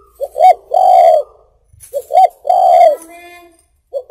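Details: Spotted dove cooing, recorded for use in luring birds: two clear mellow cooing phrases, each a short rising note followed by a longer, drawn-out hoarse coo, with a brief start of a third phrase at the end.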